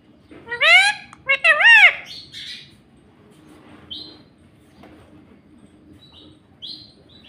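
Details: Pet talking parrot, or tota, that says "mummy" and "mitthu": two loud, strongly harmonic, voice-like syllables with bending pitch, then a few faint short squeaks in a quiet room.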